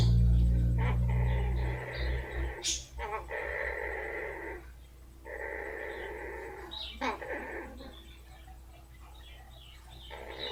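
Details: Pet blue-fronted amazon being rubbed and enjoying it, purring in sustained buzzing stretches with short gaps and a snort, over loud low rumbling handling noise at the start.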